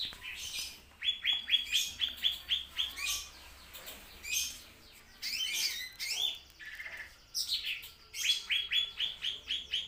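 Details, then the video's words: Lesser green leafbird, from a tutor recording, repeats a bright, even whistled note in quick series about twice a second, broken by a jumbled sweeping phrase mid-way before the steady repeated notes resume. "masteran burung Meranti"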